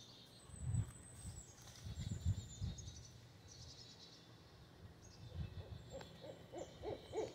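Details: A pair of Barred Owls staking a territorial claim hoot back and forth, deep muffled notes first, then a quick run of rising-and-falling hoots near the end, over a faint hiss.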